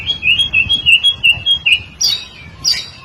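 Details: White-rumped shama song used as a tutor recording: a run of clear whistled notes near one pitch, repeated about every quarter second, then two higher, brighter phrases near the end.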